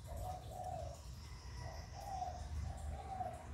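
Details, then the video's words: Spotted dove coos for stimulating kept doves: soft, rounded coos in pairs, a short pause between each pair, with a faint steady hum beneath. "Tiếng Chim Cu Gáy Giọng Hạp Bổi CHIÊU THÚC BỔI. kích bổi nhanh nổi"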